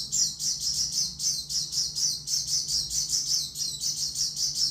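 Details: Oriental white-eye singing in the OB style: a high, thin, continuous chattering warble of rapid sibilant notes, pulsing a few times per second without a break, over a faint low background hum.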